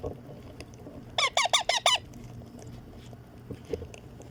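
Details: Baby green Indian ringneck parrot, a pet, being fed: five hoarse, arched, harmonic calls in quick succession over about one second, then near quiet with faint background noise.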